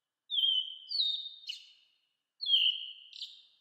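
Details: Processed in 8D, an American robin gives two clear falling whistles with a short burry note between them, then after a pause repeats the phrase. The background is silent.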